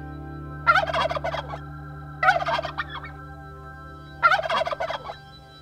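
A turkey gobbles three times, each a fast, rattling, bubbling burst about a second long, spaced roughly two seconds apart over a faint steady hum.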